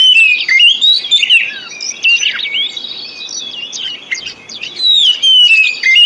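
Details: Oriental magpie-robin song played as a lure to get silent or sluggish birds singing again: rich whistles sliding up and down, interspersed with quick chattering notes, in loud bursts with brief quieter gaps.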